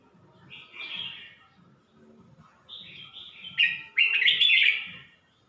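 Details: Red-whiskered bulbul singing at Suan Phueng, Ratchaburi, Thailand: short warbled phrases, a soft phrase then louder bright chattering notes rising toward the end, with faint low thumping underneath.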